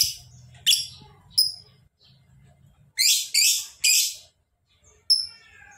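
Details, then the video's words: Lovebird giving sharp high chirps and three loud harsh chattering bursts in quick succession, over a soft low murmur like distant speech. "Lovebird Gacor!!! Ngekek panjang"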